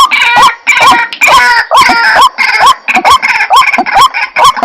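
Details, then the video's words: White-breasted waterhen lure recording: harsh, croaking notes with a short rising hook, repeated about twice a second in a dense, loud run, with overlapping rasping layers above. "Suara Pikat Ruak Ruak , pemanggil ruak ruak"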